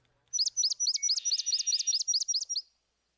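A Swamp Sparrow sings a slow, even series of about twelve loud, sweet chips over two seconds, each one distinct enough to count; no other sounds.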